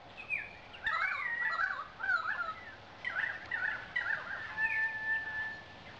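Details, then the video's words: Indian peafowl, a male peacock fanning his train in courtship display; a run of loud, harsh, nasal wailing calls that rise and fall, about five bursts in six seconds over a steady outdoor background hiss. "Spectacular Peacock Courtship Display"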